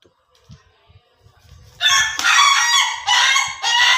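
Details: Ayam Ketawa rooster crowing: after a quiet start, a loud harsh laughing crow begins near two seconds, broken into several long rough bursts with brief gaps, rich in high tones.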